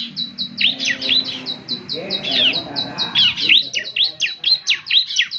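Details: High chirping from a young ciblek (Bar-winged Prinia) in lively gacor form, meant for morning playback: short clipped notes alternate with steep falling slurs in a quick, busy run.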